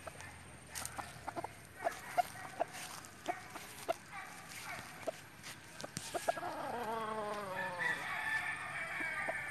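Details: Rooster crowing after a run of short, sharp clucks and scattered farmyard noises; the drawn-out crow arrives late, with a falling, harmonic-rich tone over background hiss.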